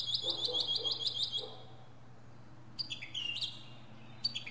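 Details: Perched at the top of a pine tree, a northern mockingbird delivers a rapid run of high repeated notes, a pause, then sharp descending whistled phrases, against a low hum.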